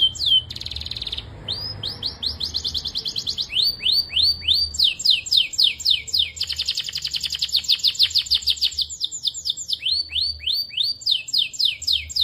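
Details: Belgian canary in full song: long varied tours of rapidly repeated rising and falling slurred whistles at roughly three per second, broken by dense buzzy rolls and rattling trills, continuing without pause throughout.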